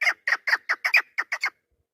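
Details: Hen chukar kept as a hunting decoy, 3 May 2025, uttering a short phrase of nine harsh, clipped chuck notes before falling quiet.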